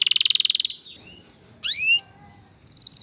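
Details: Male canary song meant to stimulate a female to mate and build a nest. A bright rapid trill gives way to a few thin sliding whistles and a rising sweep, then another fast trill starts.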